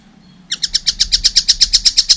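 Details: A young collared kingfisher starts calling after a half-second of quiet, giving about a dozen sharp, high, evenly spaced notes in quick succession.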